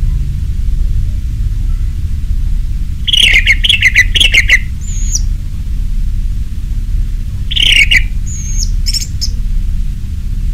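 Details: Orange-headed thrush, 'ngeplong' lure song for caged birds: two bursts of rich, slurred whistles laced with clicks, each followed by a thin, very high note, with quiet gaps around them.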